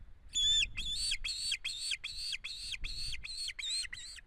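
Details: Osprey at an Estonian nest, early September 2016, making strange sounds with head movements: a rapid series of short, loud whistled notes, each rising then dropping, repeated about twice a second, over faint low rumble.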